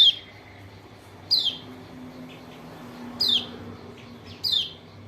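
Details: White-eye from Lombok, kecial kuning, calling as a lure to make a silent bird answer: four shrill, quickly falling chips spaced about one to two seconds apart over light background hum.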